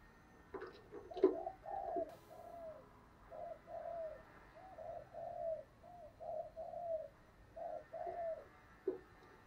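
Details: Spotted dove used as a lure to make caged doves coo. Soft, muffled coo notes repeat steadily over several seconds against a hissing background, with a few louder clicks near the start.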